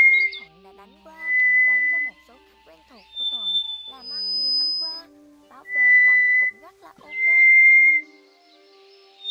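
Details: Scaly thrush lure sound for catching migrating birds with nets at night, 2024: a series of long monotone whistles at several different pitches, separated by short gaps, with soft musical sounds underneath.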